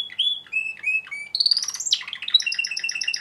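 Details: Male Timbrado canary, captive-bred, singing: clear whistled notes held at steady pitches, then a sweeping rise into fast metallic rolling trills and bell-like repeated notes.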